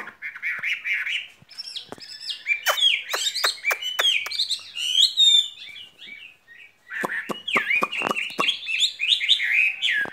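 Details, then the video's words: Caged skylark pouring out a varied, twittering song of rapid chirps and slurred whistles, broken by sharp clicks and a brief pause before the warbling resumes. "Chim quý ở lồng son ca bản tình ca mùa xuân"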